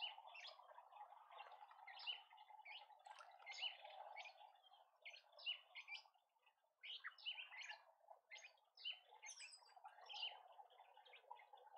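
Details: In a Pretoria garden, South Africa, a Karoo Thrush gives many quick, clipped chirps in loose bursts. There is a brief lull in the middle, then a steady low background murmur.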